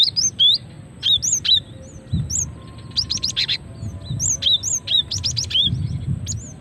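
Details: Female cinereous tit calling, used as a lure to draw males and provoke singing: high arched whistled notes and rapid clusters of sharp chips, bursts spaced irregularly about once a second, over a faint low rumble.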